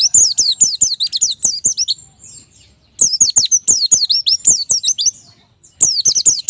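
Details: White-eye (pleci) song for stimulating birds to sing: three rushing phrases of shrill, rapidly repeated falling whistles, each lasting one to two seconds, separated by quiet gaps.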